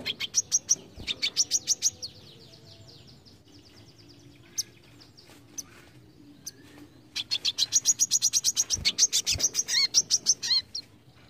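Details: Brown-throated sunbird repeating besetan-style bursts: a quick series of shrill high notes, scattered single chips, then a longer rapid run of ringing notes ending in slurred, trilled phrases.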